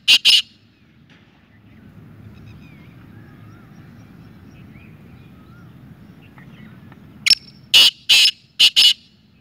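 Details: Black francolin (kala teetar) calling twice: a short pair of rasping notes at the start, then after a quiet gap a louder phrase of five harsh, scratchy notes in an uneven rhythm.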